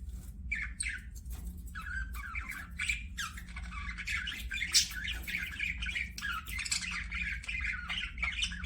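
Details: Budgerigars kept as pets chatter softly, rising and falling warbled chirps and scratchy notes strung together, quieter and more distant, with steady low background rumble.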